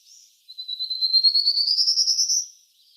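A Prairie Warbler sings a fast run of thin, buzzy notes that climbs steadily in pitch over about two seconds, ending high. No other sounds stand out.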